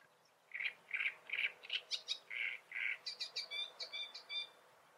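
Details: Great reed warbler singing in the Eifel region, Germany: loud, harsh, croaking notes repeated in quick runs, then switching to higher, squeakier chattering phrases.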